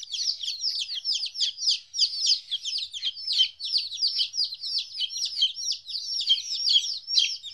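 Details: Chicks aged 14 days, newly parted from their mother, chirp in an unbroken run of high, falling peeps, many birds calling at once.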